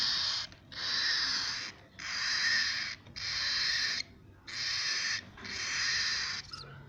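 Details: Cockatiel nestlings in a series of five wheezing, hoarse hisses, each about a second in length, coming in a steady rhythm with brief silences between.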